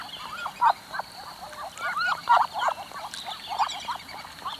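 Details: Rapid, crowded calling from Muscovy duck, short hooked notes tumbling over one another with a few louder peaks, backed by a steady high hiss.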